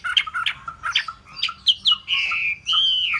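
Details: Hwamei singer gives short sharp notes in quick succession, then draws out two long, smooth whistled phrases that swoop down in pitch.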